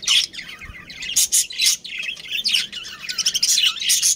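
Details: Breeding pair of budgies among a family colony, close and loud: warbled, buzzy chirps in rolling phrases of a few notes each, several birds chattering at once.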